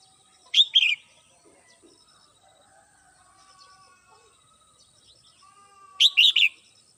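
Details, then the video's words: Morning song of a red-whiskered bulbul kept at home: two loud, liquid chirping phrases about five seconds apart, each of two or three quick whistled notes, with soft distant bird calls in between. "CHim Chào Mào Mơ nhà mình hót buổi sáng"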